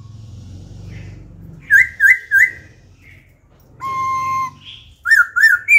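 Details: An adult laughingthrush caught from the wild, changing song phrases continuously in wild style to excite other birds and teach young ones: three wavy whistles, a long flat whistle, then more quick wavy notes over low rumbling background noise.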